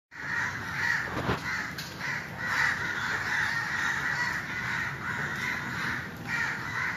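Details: Crows living in a community, cawing to call other crows; a dense, overlapping chorus of harsh caws runs almost without pause, over a steady background hiss.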